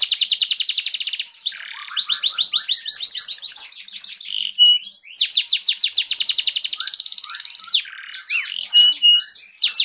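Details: Fan-tailed canary song played to make other canaries sing: alternating fast rolling trills of repeated notes and short warbled or whistled passages, the trills returning several times.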